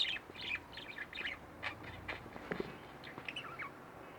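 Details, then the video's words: Home-kept budgerigars, a pair, give scattered squeaky chirps and short warbled notes, softer and more broken up toward the end. "Budgie Birds Extravaganza-Relax With My Budgies"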